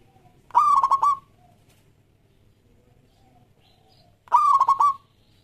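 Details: Local zebra dove (perkutut lokal) performing its lively song, used to coax other doves into singing: two fast, stuttering coo phrases, each just over half a second, separated by nearly four seconds of quiet.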